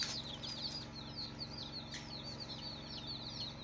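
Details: Chorus of colourful baby chicks peeping nonstop, high thin notes sliding downward and overlapping in a busy stream, with a constant low background hum and a soft flutter.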